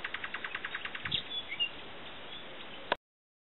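Common nightingale song: a fast, even run of about a dozen dry clicking notes, roughly ten a second, then a short whistled phrase over steady hiss.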